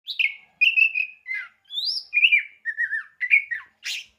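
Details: Oriental magpie-robin, a prized songbird that has won contests several times, singing varied clear whistled phrases: short rising and falling slurs and sweet notes, separated by brief pauses, ending with a buzzier high note.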